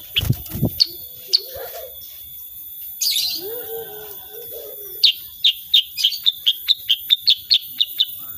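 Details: Energetic sooty-headed bulbul giving 'tembakan' song, unedited: a few scattered sharp notes and a brief lower bubbling phrase, then a rapid accelerating string of bright high chips, over a continuous thin whine.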